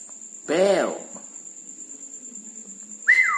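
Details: At night, a red-breasted parakeet utters a broad, rough arched squawk, a pause, then a sharp whistled note bending downward; a thin steady high tone runs throughout.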